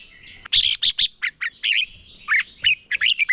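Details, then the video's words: Red-whiskered bulbul used as a decoy bird, singing in competition to train and stir other birds, with loud bursts of bright whistled and chirpy notes in quick clusters, some dropping in pitch, separated by short quiet gaps. "Chào mào mồi hót đấu quá tuyệt - Luyện giọng Chào mào hót hay ép bổi sổ bọng và căng lửa"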